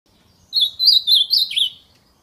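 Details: Ultramarine grosbeak singing its fibra-style song in nature: one brisk warbled phrase of about a second, with quick sweeping high notes run together before a final lower, falling slur. Faint low background rumble.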